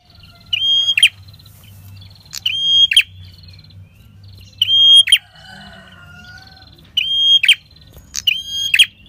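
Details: Red-headed prinia (prenjak kepala merah) singing in the drawn-out ngalun style, used as a lure for trapping wild prinias: a high, steady whistled tone held about half a second, ending in a harsh buzzy burst, repeated every two seconds.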